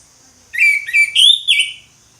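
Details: Single brief ngeplong phrase from an orange-headed thrush: four smooth whistled notes run together, steady then lifting and dropping at the end.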